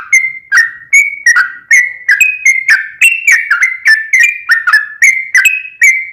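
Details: Bubbly, clear whistled phrases from a sooty-headed bulbul, repeated roughly once a second with slight changes in pitch. The song is meant as a lure to make another bulbul call back.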